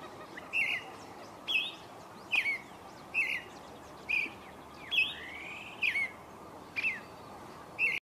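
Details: Creamy-bellied thrush at daybreak giving a series of short, clear, warbled phrases spaced about a second apart, one with a longer rising slide, over a steady hissing background.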